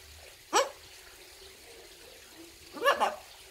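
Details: Five-year-old macaw taken outdoors and talking with its owner, answering "how are you": two short harsh squawked words, one at half a second and a longer doubled one near three seconds, over quiet background.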